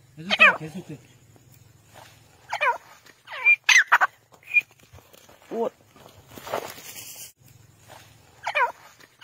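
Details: Grey francolin (desi teetar, white partridge) calling: loud harmonic notes that sweep down then curve up, given in short bursts spaced about one to two seconds apart, with quiet gaps and faint low hum between.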